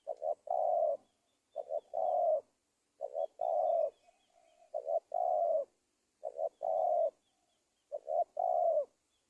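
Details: Indonesian spotted dove giving its lure call for trapping wild doves: about seven rhythmic phrases, each two quick notes and a long falling coo, with faint high twittering of other birds behind.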